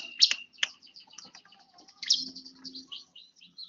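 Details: Bar-winged prinia, one year old, calling with loud sharp chirps followed by a chain of quieter rapid high notes and scattered soft clicks.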